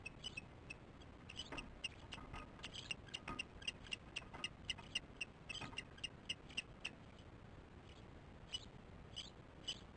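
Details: Baby ospreys calling from their nest, nest camera, morning of 13 July 2015: a rapid, irregular run of sharp high peeps, several each second, pausing briefly toward the end, over faint background hiss.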